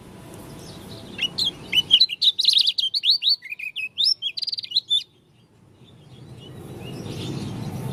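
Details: Unusual song of a Lombok dakun white-eye: three seconds of dense, high, rapidly alternating chirps and slurred whistles, punctuated by clicking notes, stopping abruptly before background hiss returns.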